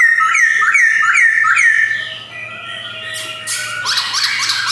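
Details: Male white-cheeked black-throated laughingthrush from a Jogjakarta collection, 2021: four fast, repeated, slurred whistled notes, then quieter, followed by a burst of harsh, noisy chatter.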